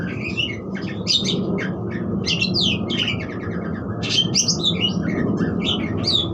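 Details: Budgerigar song: a busy, continuous stream of quick chirps, twitters and short whistled notes, dense throughout, over a steady low background hum.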